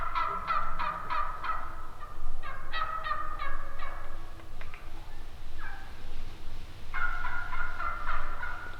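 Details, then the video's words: Calling turkeys give several bursts of quick, raspy yelps, then longer drawn-out nasal notes near the end; no other clear sounds. "Epic Sounds of Turkeys Calling!!"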